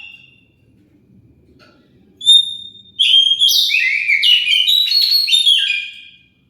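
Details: Oriental magpie-robin lure song, aimed at drawing answers from other birds. A clear drawn-out whistle opens into a loud, continuous jumble of trills, chatters and rising and falling whistled notes.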